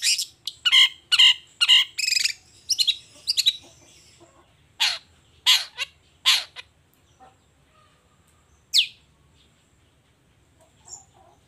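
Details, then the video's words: Long-tailed shrike in the morning, singing hard through its learned material: a quick series of harsh grating notes, then slower single rasps and one sharp high note after a pause, otherwise quiet. "Suara Cendet Gacor Di Pagi Hari Toet Toet Bongkar Materi"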